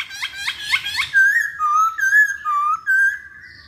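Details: Masked laughingthrush song played as a lure: four quick upswept harmonic notes, then a series of loud, clear whistles wavering up and down in a steady phrase.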